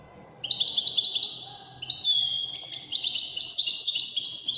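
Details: Wedani-style European goldfinch song: high tinkling twitter of rapid repeated notes, starting after a short pause, climbing in pitch and growing louder toward the end.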